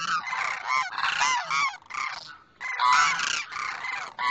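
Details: A pair of Demoiselle cranes, the male calling to the female from the other side, give hoarse, rolling trumpeting calls in dense, overlapping bursts, pausing briefly midway before calling again.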